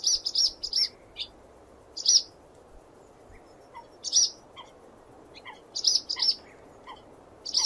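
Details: Swallow chirping in quick triplets and pairs of high sharp notes, with a series of soft low descending pips scattered between phrases over light hiss.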